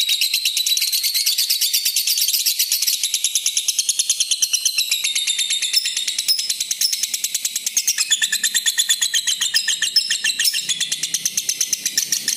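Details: Long unbroken ngekek from a red-eyed lutino lovebird: a continuous, buzzy rattle of quick high pulses lasting over twelve seconds, steady in pace. The recording is meant to prompt and tutor other lovebirds.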